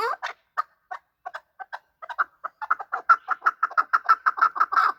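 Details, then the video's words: Chukar partridge (chakor) calling during a fight, a hunter bird; spaced clucking chuck notes that speed up into a rapid, steady, rhythmic series over the last seconds. "Chakor fighting and making voices / chakor ki awaz / chakor calling / chakor voice"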